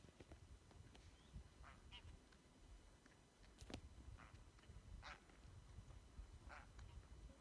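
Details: A flock of geese on Værøy, Norway, gives scattered nasal honks, several overlapping every second or so, over a steady low wind rumble.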